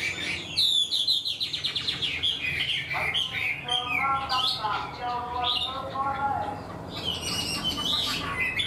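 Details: Singing caged Chinese hwamei, wild-caught yet performing a complete song like a tame bird, opens with a rapid run of repeated notes, shifts to lower buzzy chattering, then returns to loud varied whistling.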